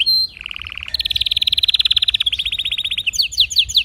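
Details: Canary song built from trill tours at different pitches: a lower rolling trill, then a higher fast trill, then a slightly lower one. The song ends in quick falling slurs.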